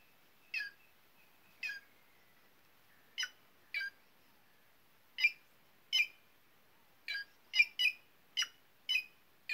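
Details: White-naped jay, a noisy bird of the caatinga and semi-arid scrub of northeastern Brazil, giving short harsh squawking notes, single or in quick pairs, spaced irregularly over a quiet background.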